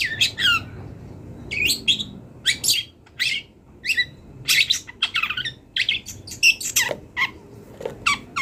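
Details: Energetic song of a wild long-tailed shrike rich in imitated phrases. A steady stream of varied, high, chattering and whistled notes, some sweeping downward. Soft low background rumble.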